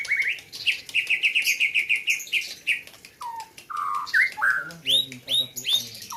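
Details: Competition singing by a white-rumped shama from Gayo, Aceh, in 2021: a fast chattering run of high repeated notes, then lower clear whistles and sharp upward-swept notes.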